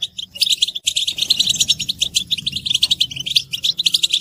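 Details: European goldfinch group twittering, mating and readiness calls played to break a male's silence; after a brief gap, a fast unbroken run of high chirps, buzzes and tinkling trills.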